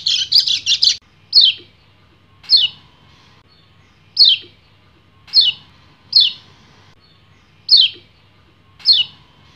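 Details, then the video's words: White-eye male (kecial kuning) in breeding condition, calling for a female. A quick burst of busy chatter opens, then single sharp downslurred notes follow, repeated about once a second. "PLECI GACOR NGEBREN - KECIAL KUNING BIRAHI MEMANGGIL BETINA"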